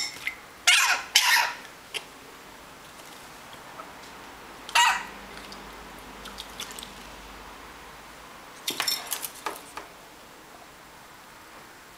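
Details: Short bursts of clattering and splashing, like dishes and water in a small room, with no clear animal call.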